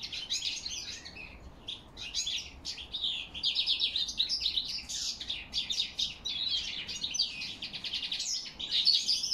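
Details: European goldfinch in autumn song, October 2021, with crested lark whistles also noted: a long, unbroken stream of rapid, tinkling, buzzy twitters that swells louder midway and keeps a lively, jumbled rhythm.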